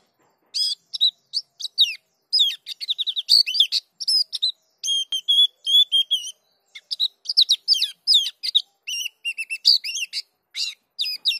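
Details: Dakun white-eye in long rolling song, showing off its full repertoire. High, fast twittering of slurred and trilled notes in quick bursts with tiny gaps; quiet background.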